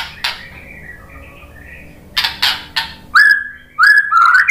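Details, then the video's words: A white-rumped shama lure song (pancingan) for rousing shamas. After a quiet stretch with a few soft clicks, clear level whistles follow, each with a slight upturn. "SUARA MURAI BATU Untuk Memancing EMOSI JADI NYAUT GACOR"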